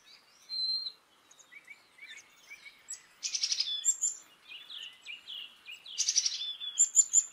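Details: A Black-capped chickadee sounds a single high clear whistle, then scattered thin chips and two bursts of rough, buzzy dee notes about three seconds apart.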